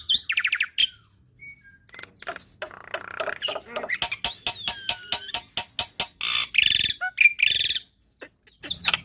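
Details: Black-winged myna song meant to be imitated by young birds, packed with sharp shot-like notes: rapid runs of clicking pulses, a few drawn-out slurred whistles, and brief buzzy bursts with short silent gaps.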